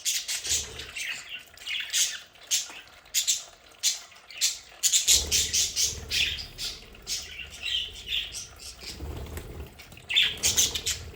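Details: Several pet budgerigars in their play area at home give dense, scratchy chattering with sharp squawks and bright chirps in overlapping bursts. A low hum runs underneath through the second half.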